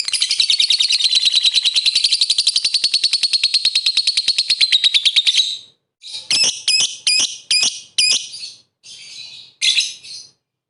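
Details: Lovebird singing constantly as bait to provoke rival lovebirds into singing: a long, rapid, buzzy high trill lasting about five seconds, then a pause and a string of short, harsh, squeaky chattered bursts.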